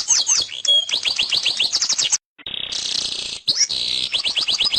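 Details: Singing canary delivering rapid downslurred notes, a brief pause, then a steady buzzy rolling trill followed by more quick repeated downsweeps.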